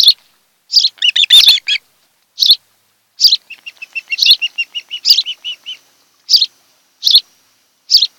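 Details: Osprey pair's nest on Kent Island, Maryland, on a July 2018 nest cam in the afternoon; a run of thin, even whistled chirps midway, set among scattered sharp broadband ticks and a brief burst of rougher notes.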